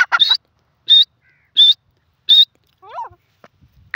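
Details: Grey francolin, called teetar, calling: loud, sharp high notes repeated about every 0.7 seconds. A softer, lower wavering note follows near the end.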